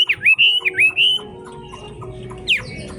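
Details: Chinese hwamei, a wild-voiced bird, singing in fog: loud, slurred whistles that swoop up and down in a quick run of phrases, then one more rising note after a pause, over a faint low hum.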